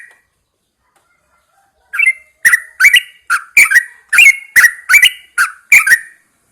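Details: Caged yellow-vented bulbul set outside at dawn for fresh air, singing a rapid run of rich, chattering phrases, each note short and repeated at a steady quick pace after a short silence.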